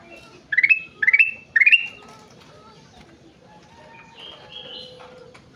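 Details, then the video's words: Ruby-throated bulbul (kutilang emas), described as gacor, singing busily: three quick rising whistled notes, each ending in a level whistle, then softer faint whistles over a low background hum. "Burung kutilang emas gacor"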